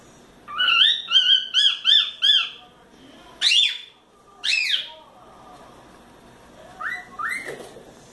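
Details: Pet cockatiel chick, four months old, whistling while playing on its playground swing: a quick series of six repeated looping whistled notes, then two sharp rising calls and softer notes later.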